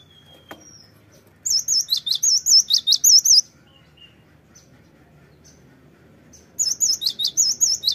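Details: Lure recording of the cinereous tit (gelatik batu): two bursts of rapid, piercing high chirps, about ten in quick succession each, separated by a few seconds of quiet.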